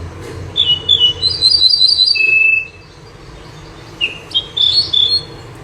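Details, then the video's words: Common nightingale, known for singing by night and by day: a run of rapid whistled and warbled notes ending in a long steady whistle, a pause, then another phrase of sharp rising whistles, with faint low hum behind. "تغريد طائر البوح الزرهوني او طائر المنيار من طيور التي تغرد بليل و نهار"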